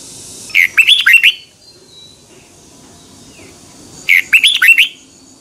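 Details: A Red-whiskered bulbul sings a 2021 morning training song in the twisting double voice, used for tutoring other birds. Two matching phrases of quick, bubbling, upslurred whistles sit about three and a half seconds apart.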